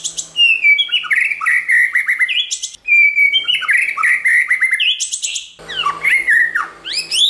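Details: Training song of a white-rumped shama, many-voiced, to excite other shamas into singing: continuous fast phrases of clear whistles and liquid slurs, ending with sharp upward-sweeping notes.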